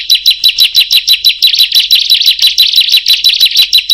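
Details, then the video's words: Bar-winged prinia that other birds began answering once it called; a fast, steady series of sharp, high chirps, about three each second, each note sliding down, with faint higher overtones. "Awalnya Dikira Ciblek Biasa Setelah Berbunyi Yang Lain Jadi ikutan Berbunyi"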